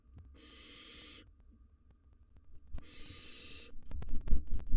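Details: Two drawn-out breathy hisses, each about a second long, from a wild barn owl nestling in a nest box, followed by rustling and knocking sounds.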